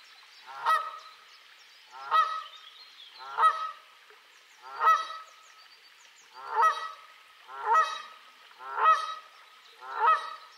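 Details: Canada goose recorded 25 April 2020 with a Sony RX100 VII; loud nasal honks given in bursts about every one to one and a half seconds, eight calls in a row, each with a harsh falling trail, against a quiet background.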